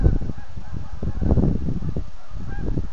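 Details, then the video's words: Thousands of geese taking off in autumn from the Rideau River south of Manotick, a dense, overlapping chorus of low honks pulsing continuously throughout. "Geese taking off in Autumn"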